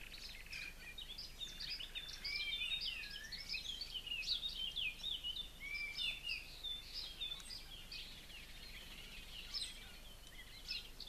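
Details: Aviary blue-crowned laughingthrushes feeding a pair of young that fledged yesterday, chicks sitting on top of a conifer; a continuous chattering jumble of high squeaks, twitters and curling whistles from several birds over light background noise.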